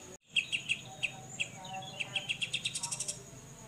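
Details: Grey-cheeked bulbul, 'mbeset' style tutor recording: scattered sharp chirps at first, then speeding into a quick descending-spaced run of bright chip notes, above a steady faint high tone.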